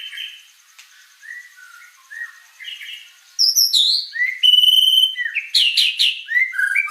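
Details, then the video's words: White-rumped shama (murai batu) in energetic 'gacor' song: soft, quiet whistled phrases for three seconds, then loud varied bursts of high sweeping whistles, a sustained pure high note, sharp chirps and rapid descending slurred notes. "Suara Burung Murai Batu Gacor"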